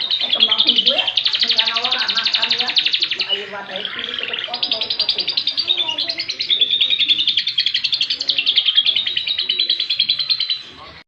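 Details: Canary singing a lovebird-style song: a dense, continuous stream of fast high trills and chattering notes, with rapid buzzy rolls and lower twittering phrases woven underneath, fading out at the end.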